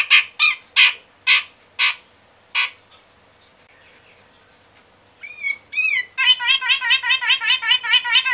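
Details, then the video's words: A caged Medan-type grey-cheeked bulbul's song, played to stimulate other caged birds to sing, opens with six harsh, evenly spaced rasping notes, pauses, then gives a few upslurred whistles before a fast, rolling chatter of repeated warbled notes. "Pancingan Ampuh Cucak Jenggot Medan malas macet bunyi biar gacor"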